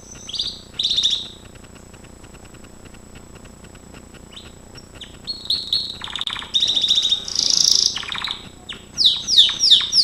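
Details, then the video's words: Gloster canary training song with scattered soft notes, a quiet stretch, then loud buzzy trills and a run of quick descending swept notes at the end. "GLOSTER CANARY SINGING Spectacular Beautiful training"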